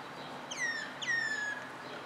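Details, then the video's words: Common myna giving two clear, drawn-out descending whistles about half a second apart, each sliding down and levelling off, against faint steady background noise. "Common Myna (Acridotheres Tristis) sings"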